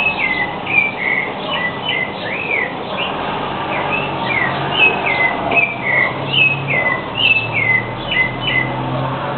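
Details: Rufous-bellied thrush (sabiá-laranjeira) singing early in the morning. Clear whistled phrases follow in quick succession, with slurred notes rising and falling and short motifs repeated throughout, over a steady low hum.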